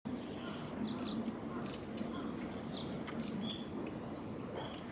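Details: Juvenile long-tailed tit at Gongenyama Bird Sanctuary, 29 July 2020: a scatter of very high, thin, short calls, some slurred downward, spaced irregularly over a steady low rumble of background noise.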